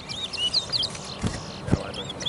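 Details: A chestnut-bellied seed finch at a bird whistling competition at the National Stadium gives quick, high whistled notes and short slurred phrases, fairly faint, over low thumps and a man counting aloud.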